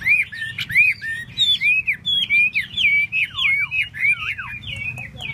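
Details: Chinese hwamei fanning and dancing its tail while singing a fast, varied series of loud slurred whistles, rising and falling, delivered almost without break.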